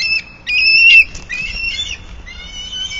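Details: Bald eagle at a nest high in a sycamore in Bluff City, Tennessee, on a March 2024 morning, picked up by a nest camera: loud, close squealing whistled notes, one short, one long and held, then a trailing thinner note.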